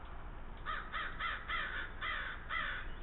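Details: Wild crow croaking near a wild fox offered a cookie in the Lake Superior area of Thunder Bay, Ontario, Canada, 22 July 2010; a quick run of about six harsh, hoarse caws roughly half a second apart over steady low rumble.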